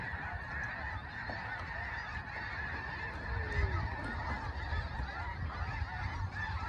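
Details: Snow Geese massed in a huge flock at Limestone Bay, north Alabama, captured by iPhone: a constant wash of many overlapping honks, a few clearer calls rising briefly near the middle, with heavy low-pitched rumble underneath.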